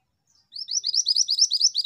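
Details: A female pied bushchat sings vigorously, a dense, sustained stream of high, scratchy chirps in rapid repeated syllables, still continuing when the recording cuts off abruptly.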